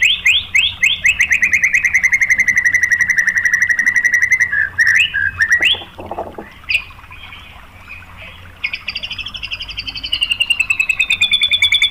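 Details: White-rumped shama song used as a lure to provoke other shamas: long rapid trill of chirps sliding slightly downward, broken by sharp clicks, then a high buzzy rising phrase and renewed fast trill.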